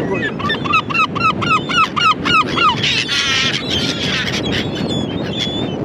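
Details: A gull gives a fast series of about ten arched, yelping notes, each rising then falling, followed by drawn-out harsh cries from other gulls over background noise.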